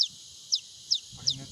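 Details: Newborn painted spurfowl chick found near Bear mount giving thin, high, quickly falling peeps, four in under two seconds, with a faint low murmur of voices near the end.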